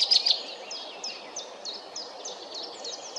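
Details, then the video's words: Black redstart singing: a brief loud, squeaky opening, then a series of thin, high, downslurred notes repeated about every third of a second, fading slightly, over soft steady background noise. "Rehek domácí, Black redstart, Hausrotschwanz, Zwarte roodstaart, Kopciuszek, Rougequeue noir"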